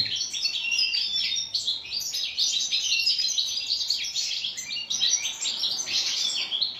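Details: Original wild goldfinch song, known in North Africa as khalwi: nearly seven seconds of unbroken, rapid chattering twitters and tinkling trills with brief buzzy elements.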